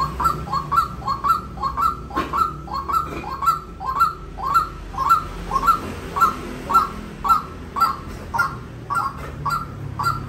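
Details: Long, even sequence of quick upslurred calls by a white-breasted waterhen, close to two each second, over steady low-frequency background noise.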